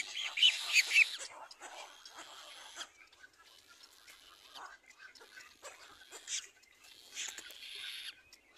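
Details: Begging of a little black cormorant chick being fed by its parent: a loud cluster of shrill, rasping squeals in the first second, then softer scattered calls.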